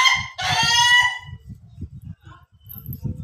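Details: Ayam Ketawa, the Indonesian laughing chicken, crowing: a loud harmonic burst broken into quick stuttering notes that lasts about a second and a half, then low rumbling background noise.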